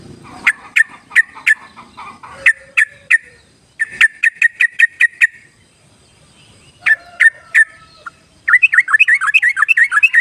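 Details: Yellow-vented bulbul sound used to prompt timid, wild birds into song: bursts of sharp, evenly repeated chip notes in several groups, separated by pauses, ending in a fast bubbly warbling phrase.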